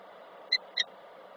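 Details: Nest-box meeting of a peregrine falcon pair in Koszalin, 10 October 2024. Two quick, ringing call notes about a quarter second apart stand out against steady hum.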